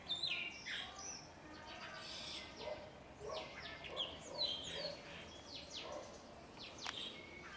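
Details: A long-tailed mockingbird gives a varied run of quick chirps, whistles and buzzy notes, each phrase different and tightly packed, over faint hiss; it watches a small dog and imitates a cat to make it bark.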